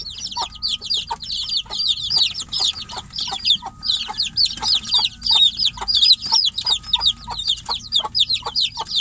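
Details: Young chickens kept in a cage while their mother is outside keep calling for her. Shrill falling peeps pour out nonstop from several birds, with a thin steady tone and soft ticks lower down.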